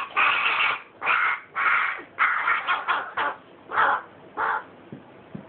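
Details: Harsh, nasal rasping cries from a carrion crow nestling, about eight bursts of roughly half a second each in quick succession, growing slightly shorter and softer toward the end.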